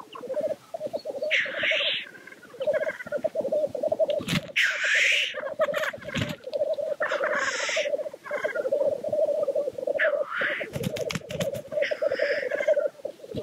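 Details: Lekking black grouse: unbroken mellow bubbling forms a steady drone, interrupted about every two to three seconds by forceful breathy hissing sneezes, plus a few sharp clicks.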